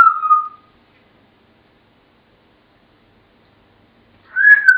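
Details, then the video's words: Two clear whistles from a pet African grey working through Pop Goes the Weasel. One falling tone opens, then comes near-silence, then a second warbled whistle near the end. "The African Grey - Pop Goes The Weasel"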